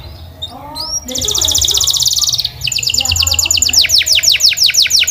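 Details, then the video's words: Canary singing a training song: faint upslurred notes, then a fast buzzy trill held about a second and a half, a brief pause, and a run of rapid repeated downslurred whistles, with a low hum underneath. "The Most Popular Canary Singing 2025!! Sweet and Clear Voice"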